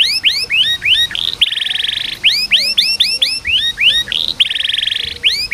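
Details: Canary training song for slow-to-sing birds: rapid series of bright rising whistled sweeps alternate with dense buzzy trills, the pattern repeating twice in a lively, loud phrase.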